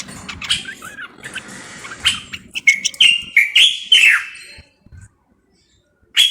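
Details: Moroccan common bulbul: soft chirps, then a loud run of whistled, sliding notes and a falling phrase, followed by silence and one last short whistle.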